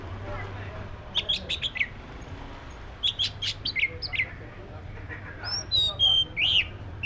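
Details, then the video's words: Black-breasted Oriental magpie-robin singing clusters of quick sharp chirps and whistles in two bursts, followed by longer clear whistled notes, set against a low constant hum. "SUARA BURUNG KACER (DADA HITAM)"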